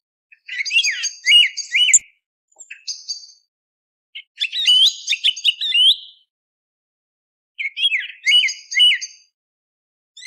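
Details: Pre-dawn song thrush song for hunting: three bursts of varied phrases, each mixing sharp whistles with repeated slurred notes and brief twitters, separated by pauses of a second or two, with no other sounds.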